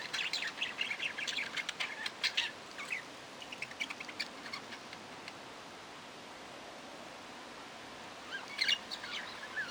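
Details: Budgerigar warbling in a dense scratchy burst for about three seconds, then near quiet, then a short final flurry of high chirps.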